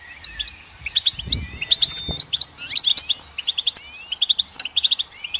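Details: Goldfinch song: quick twittering run of high, bright chirps and short slurred notes, with a few longer whistled glides between bursts. Faint low thumps are heard near the middle.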